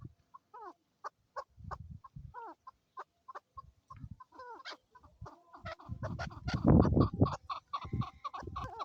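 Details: Male and female Chukar partridges (Alectoris chukar) in Swat, Pakistan, being handled, giving quick clucking chuck notes, spaced at first, then building into a louder, busier rattling series, with low handling noise.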